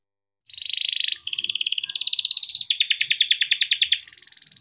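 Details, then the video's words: Yellow canary, a kept bird singing a long song used to train young canaries, gives continuous rolling trills that step up and down in pitch, rapid pulsed and bright, with faint low background noises. "burung kenari gacor PANJANG untuk pancingan kenari paud || masteran kenari - yellow canary singing"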